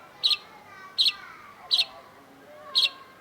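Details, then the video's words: Cendet, or long-tailed shrike, in a master-song recording: four harsh, clipped double chirps spaced under a second apart, with faint sliding whistles in the background. "KOLEKSI MASTERAN CENDET || Long-tailed Shrike"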